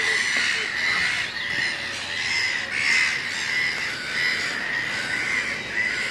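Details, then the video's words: Black-billed gull chick begging with shrill, high cries repeated about every half-second while a parent feeds it on a dry, pillared part of the colony, dated 7/12/19, amid calls of other gulls. "Black billed parent feeds chick"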